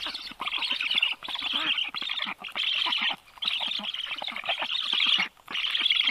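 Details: Black stork nestlings in Karula National Park, Estonia, in July, twittering as a strange stork is nearby; bursts of high, rapid chattering squeaks about a second long, separated by brief pauses.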